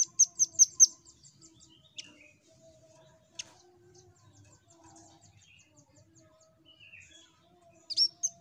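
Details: Velvet-fronted nuthatch song, used to prompt other birds to sing: a quick burst of four sharp, very high chirps at the start, sparse faint notes, then another short high chirping burst near the end over a steady low hum.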